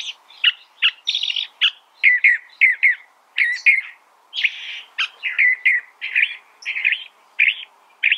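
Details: Long, energetic California thrasher song made of many distinct short phrases, chattering, whistled and rasping, delivered steadily with tiny gaps. Some phrases are doubled before the bird moves on.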